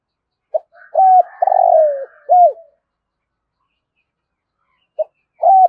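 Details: Spotted dove calling in the cooing style locally called thúc gù, with the deep resonant voice known as thổ rền; a short note, a double coo, a long rolling coo that slides down, then an arched coo, with the phrase beginning again at the end.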